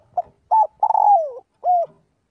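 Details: One flock-calling phrase from a spotted dove in daily voice practice: a short note, a rising-falling coo, a long drawn coo gliding down, and a final even coo.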